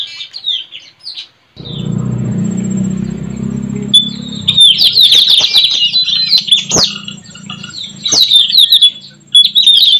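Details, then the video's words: White-rumped shama in forest, wild, recorded at a trapping perch: loud varied high whistles and rapid slurred phrases, interrupted early by a steady low engine-like rumble, then clicks and dense energetic song. "Suara Mp3 puling//Tajaling//tanau"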